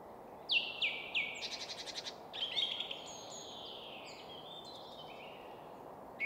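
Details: Singing song thrush perched atop a spruce in Swedish woodland at Väsby sjöäng near Stockholm; three sharp downslurred notes, then a rapid ticking rattle, then softer thin whistles, all above a constant low roar of city traffic.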